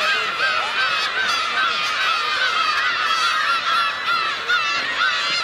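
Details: Wild black-tailed gulls on Kabushima island in winter, New Year's Day 2015, in the largest number seen there in winter; a dense chorus of overlapping mewing, cat-like calls from many birds, continuous and wavering.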